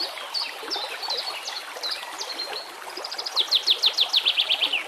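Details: A white-rumped shama sings over background water and nature sounds: scattered high whistles and short slurs, then a loud burst of quick, rhythmic descending notes repeated about every quarter second.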